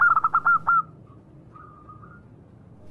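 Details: Local zebra dove in song, giving a quick burst of about six loud hooked cooing notes in under a second, followed by faint, thin sustained tones.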